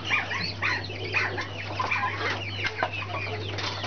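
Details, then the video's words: Brahma chicks, several together, giving a busy overlapping chorus of short high peeps and chirps, some rising and some falling, over a constant low electrical hum. "Brahma chicks"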